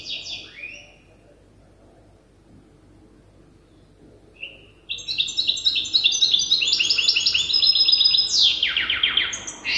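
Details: Young European goldfinch hybrid, still memorising its song from an older hybrid. After a near-silent first half with brief high notes, it bursts into fast, buzzy, repeated high trills that run on steadily with a sharp descending sweep near the end.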